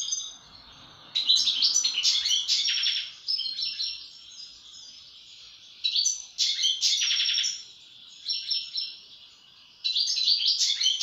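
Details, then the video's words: A European goldfinch delivers repeated bursts of lively twittering song with rattled trills and high chirps, separated by short quieter gaps; faint soft rustling sounds at the start. "استمتع مع طائر الحسون"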